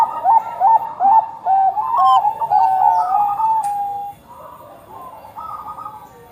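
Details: Bangkok-type zebra dove (perkutut bangkok) in full song, used as a lure to get other doves singing; a rapid series of short, mellow, whistled coos with quick pitch steps, then softer sustained cooing.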